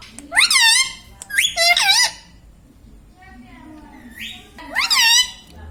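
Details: Pet ringneck parrot speaking mimicked words indoors: two quick speech-like syllables, a short rising whistle-like note after a pause, then one more harsh, wavering word.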